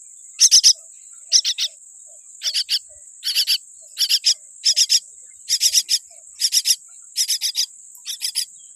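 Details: Tiny baby common myna born with a weak beak, calling in harsh, raspy bursts of two or three notes, each group roughly a second apart, over a steady high-pitched whine.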